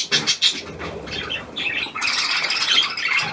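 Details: Dated 17 February 2023, a newly hand-tamed Australian pied budgerigar gives a few sharp squawks, then breaks into dense, high, crackly chattering.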